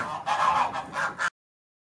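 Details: Two brief, coarse honks come from geese at Beamish as they go to bed in the evening, then the sound cuts off.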